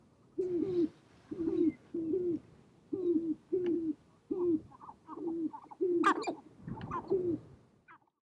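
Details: Spring courtship gathering of sharp-tailed grouse on a prairie hilltop, birds dancing and fighting to win females; a steady series of low, hollow double-pulsed coos, nine in a row, with sharp clicks and a quick cackle overlapping.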